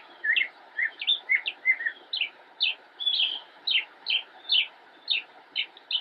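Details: Singing from a bush in Cabarrus County, North Carolina, United States, an immature northern mockingbird gives a series of sharp, high notes, roughly two per second, some doubled or buzzy, filmed 10-10-2016.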